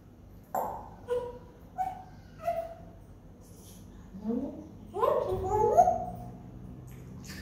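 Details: Parrot talking at the front door: a string of short voiced, harmonic phrases, four brief rising-falling notes in the first three seconds, then a longer run of gliding, speech-like sounds toward the end.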